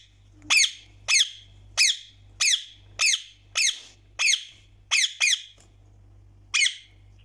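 A rose-ringed parakeet gives about ten harsh, high, squawking screeches, each sharply dropping, repeated roughly every half second to second, with a low indoor hum beneath.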